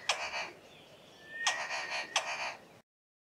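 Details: Southern Boubou calling from thick bushes in a valley, giving its 'car starting' call: three harsh, grating bursts like an engine turning over, with a thin, level whistle running between them.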